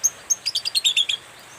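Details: Morning song of a long-tailed shrike, used to make silent birds respond: two thin, high whistles followed by a rapid rattling run of about seven scratchy notes.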